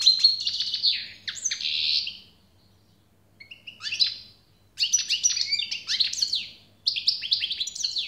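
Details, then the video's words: European goldfinch singing for eight seconds in bursts of rapid, tinkling and buzzy twitters, with a pause around the third second, then energetic jangling phrases to the end, over faint low hum. "SAKA ÖTÜŞÜ"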